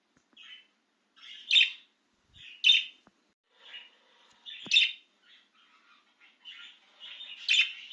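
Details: An excited budgerigar out of its cage alternates soft twittering with five loud, sharp chirps spaced about a second apart, plus a couple of faint clicks.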